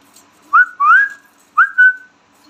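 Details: Indian ringneck parrot kept indoors as a pet, giving two pairs of clear whistles, each a short upslurred note followed by a longer, level, tonal whistle, with a faint low hum in the room.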